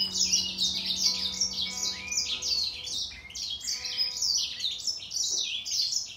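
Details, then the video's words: Grey singer finch in a singing contest with a green singer, both birds pouring out fast, warbled high phrases in an unbroken stream. Steady tonal lines run beneath. "Gery singer finch VS Green singer singing fight 灰燕和金青斗唱"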